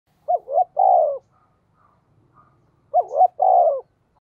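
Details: Spotted dove calling in the deep 'giọng thổ' style, used as a lure to provoke wild birds: two coo phrases, each a pair of short wavering hoots running into a longer, gently falling coo, about two and a half seconds apart.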